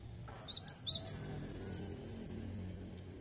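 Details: Cinereous tit (gelatik batu) singing actively in the 'wucit wucit' style, suited to prompting other birds to sing: two quick pairs of high, sharp whistled notes, then only faint hiss.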